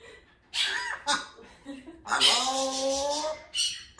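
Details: A 2-year-old pet African grey parrot on its window perch talks in clear, human-like phrases, with breathy hisses between short voiced words and a longer drawn-out, level-pitched utterance.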